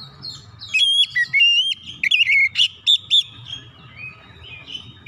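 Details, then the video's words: Oriental magpie-robin song played to spur silent, lazy magpie-robins into singing; quiet buzzy start, then clear steady whistles stepping in pitch, followed by sharp chirping bursts and a fading thin high tone over soft rumble. "PANCINGAN KACER CEPAT EMOSI 100% KACER MACET MALAS BUNYI CEPAT GACOR"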